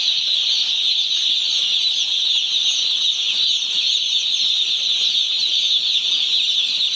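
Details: Poultry-farm brood of one-day-old chicks calling together: an intense, uniform carpet of high-pitched cheeping, individual peeps blurring into a continuous shrill buzz that never drops in loudness.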